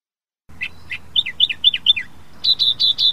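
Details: Australian reed warbler, a bird of reeds and tall grasses in Australia, singing: two low chirps, then a run of quick paired down-slurred notes, ending in four loud even notes repeated rapidly, over a faint low hum.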